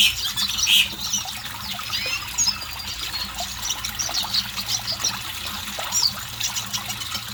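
A red siskin sings a fast, continuous twitter of thin high chirps and short buzzy trills, with a few clearer whistled notes, over a soft hiss like trickling water.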